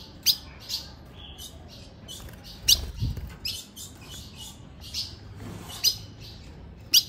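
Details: Female ultramarine grosbeak in late afternoon, calling to arouse a male: irregular series of sharp, high, clipped chips across seven seconds, a few softer notes between, with light low knocking sounds.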